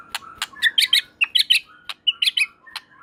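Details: White-rumped shama singing a varied burst of short sharp notes and brief warbled phrases between 2 and 4k, some broadband clicks, irregular rhythm.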